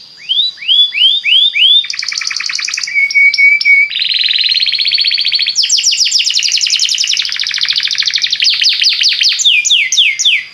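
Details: Belgian canary singing to set other canaries singing: varied phrases of rising whistled slurs, sharp clicks, a low buzzy roll and quick repeated trills, changing tour every second or two, loud and continuous.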